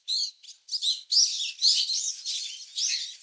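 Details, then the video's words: Brown-eared bulbul chicks in their nest being fed by a parent, filmed up close: a loud, nearly unbroken stream of high, scratchy chirps in quick overlapping bursts. "Brown-Eared Bulbul Feeding Chicks in Nest"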